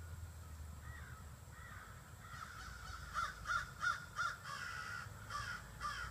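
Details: Evening roost gathering of about 30 to 40 crows in trees by a house: a run of loud, evenly spaced harsh caws in the middle, more calling at the end, over faint low rumble.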